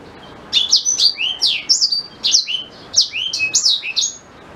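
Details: Continuous phrase from a black-throated canary used as a teacher for white-rumped shama: high, fast, varied slurred notes and sweeping chirps for about four seconds.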